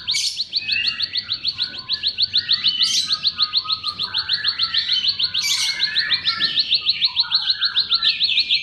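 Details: Bar-winged prinia song as a lure for silent or sluggish birds: a dense, fast stream of high chirps over lower warbling phrases, with occasional harsh buzzy bursts.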